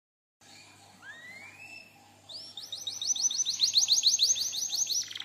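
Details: Canary song used as a lure and master recording for training other canaries: after a quiet start, rising whistled slurs lead into a fast, high rolling trill of repeated downward chirps that grows louder.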